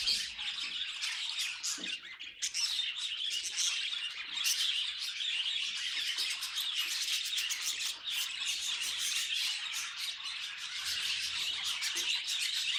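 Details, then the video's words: Lively budgie chatter from pet birds: long, nonstop scratchy warbling with rapid ticking clicks that grow denser in the second half, high and bright throughout. "Funny Budgie Noises Compilation"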